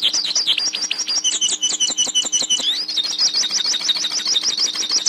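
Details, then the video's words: Pintassilgo (black-headed goldfinch, Spinus magellanica) sings a fast, unbroken stream of high twittering, quick chirps and liquid trills over a faint low hum; a song for teaching young pintassilgos. Finding: goldfinch. "Canto Pintassilgo - Canto Para Ensinar Seu Pintassilgo Ouça o Canto Pintassilgo"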